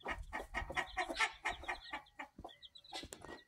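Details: Black Australorp hen with her brood, 14 September 2023: a quick series of soft clucks, roughly two a second, easing off, with thin high peeps and chirps coming through toward the end.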